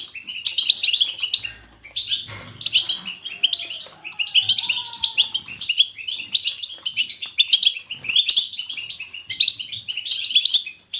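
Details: Energetic natural goldfinch 'batbata', chosen to prompt a goldfinch to sing: long series of rapid twittered phrases in regular bursts, with a faint thin whistle rising in the background around four seconds.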